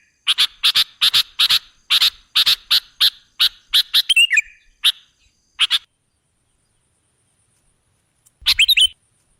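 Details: Lure recording of a sooty-headed bulbul meant to attract other birds: a steady string of crisp, sharp notes for about six seconds, a short warble midway, then quiet and a final bubbly burst.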